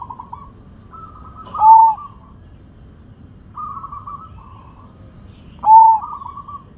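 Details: A big-voiced Sumbawa zebra dove sings: rolling, stuttered cooing trills that lead into a loud, drawn-out descending coo, heard twice roughly four seconds apart, with a faint low rumble underneath.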